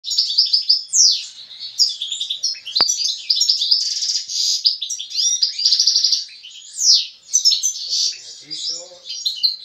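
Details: European goldfinch, a male singing alongside a female, gives a rapid, liquid stream of tinkling twitters, buzzy trills and sweet slurred notes, high-pitched and almost unbroken; a brief click is heard once.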